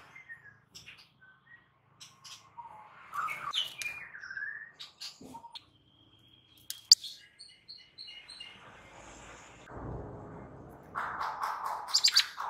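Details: White-rumped shama (murai batu) giving an aggressive, raging fighting song used as a training master to make other shamas ready to fight: varied whistled phrases, sharp chips and short trills, a brief run of evenly repeated notes, then dense rich warbling at the end.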